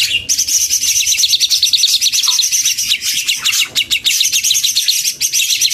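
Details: Mixed group of leafbirds, male and female birds of several local varieties, singing in chorus: dense, continuous high twittering and rapid chirps overlap throughout, with quick rattled trills and brief squeaky notes between them.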